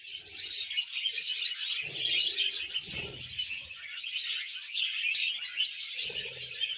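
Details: Budgerigar in a cheerful mood giving an unbroken flow of high, scratchy twitters and squeaks, with faint low murmurs in places.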